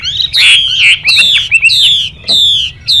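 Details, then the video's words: Chinese hwamei in fighting-style song alongside a calling female: a rich, ringing run of high whistles and warbled slides, then sharp downslurred notes repeated several times in quick succession. "HỌA MI MÁI DÂM / HỌA HÓT HAY KÈM TIẾNG CHIM MÁI XÙY"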